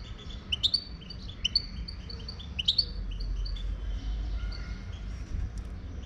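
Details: European goldfinch from Morocco, a wild bird, in song: a few lively bursts of high twittering and clipped chirps during the first three seconds, then quieter scattered notes over constant low background hum.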